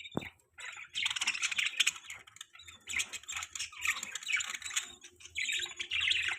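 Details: Pet budgerigars, said to be happy, give a busy stream of squawky, high chirps and warbled chatter, after one sharp click at the start.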